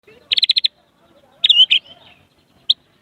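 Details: White-rumped shama, a kept songbird, singing vigorously with prinia imitations in its repertoire: a quick burst of six sharp, high chirps, then a slurred whistled phrase and one final clipped note, with quiet surroundings.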